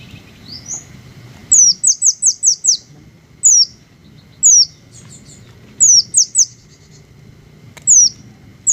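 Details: Green hummingbirds in a natural setting: thin, very high squeaky notes sliding downward, given singly and in a quick run of five, then spaced again, with soft low background rumble.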